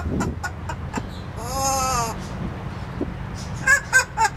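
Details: Male parrot kept in an indoor aviary, caged while brought out, laughing on seeing a neighbour in a Speedo: a drawn-out, wavering, laugh-like call, then short sharp squeaky notes, amid rumbling background noise.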